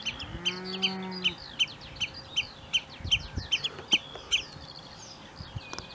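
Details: Common redshank (Tringa totanus), inland breeding with chicks at Middlemarsh Wetland Project, Lincolnshire, gives sharp, high piping calls, about two a second, insistent and repeated; a cow moos low at the start.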